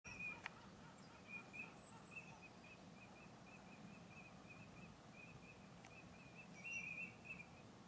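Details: Eurasian teal (Anas crecca) at Izliv Soče nature reserve, Slovenia, on 15 February 2024, giving a steady run of short, high, ringing whistled 'krick' notes, several each second, over a low background rumble.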